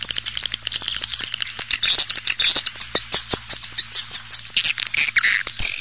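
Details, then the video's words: Swiftlet calls used to lure the birds into a nesting house: continuous high twittering chatter with scattered clicks and a few louder buzzy notes near the end, over a low hum. "SUARA PANGGIL BURUNG WALET"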